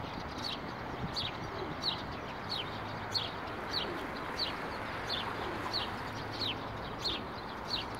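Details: House sparrows, fairly plump birds in bushes by a street bench, with pigeons also present, chirp steadily on 12 April 2019: short bright chirps repeated roughly every half second to second over a constant background rumble.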